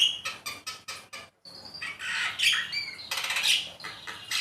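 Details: Javan myna song used as a master recording to stimulate pet birds to sing: a run of harsh, evenly spaced scratchy bursts, then after a short pause a mix of squawks, sliding whistles and rasping chatter.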